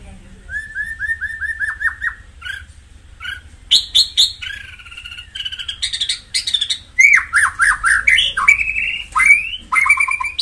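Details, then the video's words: White-rumped shama song, played to excite other birds: a run of repeated rising whistles, then clear varied phrases with sharp high notes, slurred falling notes and short trills, loud and bright, with little background. "tiếng chích chòe lửa hót dùng kích chim căng lửa hiệu quả"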